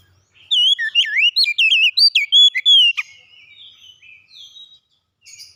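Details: Oriental magpie-robin song: a rapid run of loud, clear whistled notes rising and falling in pitch, some swooping and others short and sharp, lasting about two and a half seconds before fading into quiet, faint twitters.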